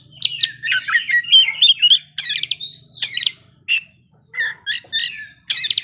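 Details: A caged kacer (magpie robin) pours out a loud, rich song of rapid chattering notes, harsh buzzy bursts and clear drawn-out whistles, changing phrase every second or so, with short gaps between bursts.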